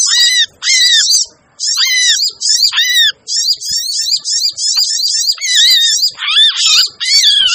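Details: Sogon (sogok ontong) lure sound used to attract birds: short, sharp chattering phrases with downslurred whistles, delivered in quick irregular bursts, some pauses early on.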